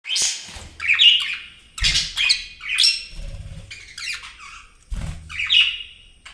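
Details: Pet budgerigars, described as happy, chirp in quick, scratchy bursts of squeaky, warbling notes.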